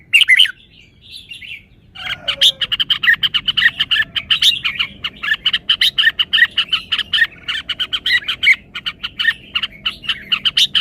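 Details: Red-whiskered bulbul showing off its song phrasing (samnuan): a dense run of rapid, bright chirped notes repeated steadily after a brief quiet start, with a low hum underneath.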